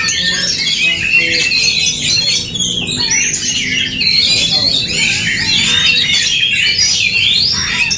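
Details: Oriental magpie-robins singing in an aggressive fighting duel, a nonstop torrent of high, harsh chatter, squeaks and quick rising and falling whistles with no pauses.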